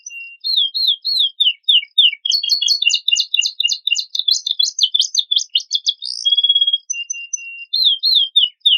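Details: Canary master song with rich, varied filler phrases, used as a lure to provoke other birds into singing: high sweeping whistled notes, then a dense fast rattling trill, a steady held tone, and more falling slurs.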